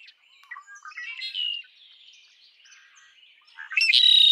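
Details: Red-winged blackbird singing: murmured chatter and a brief buzzy phrase, then a loud, harsh, sustained trill erupts in the final half-second; faint bird chips continue throughout.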